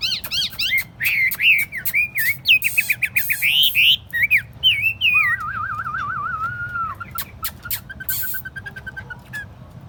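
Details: A tame, hand-carried Chinese hwamei sings on a table: loud, varied whistled phrases of quick repeated rising notes and slurs, then a long wavering trill and a run of sharp clicks.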